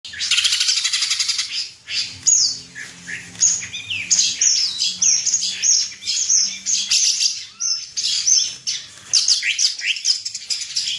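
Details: National champion greater green leafbird (cucak ijo) pouring out a dense, continuous high song of rapid chirps, slurs and twittering notes with hardly a pause over eleven seconds.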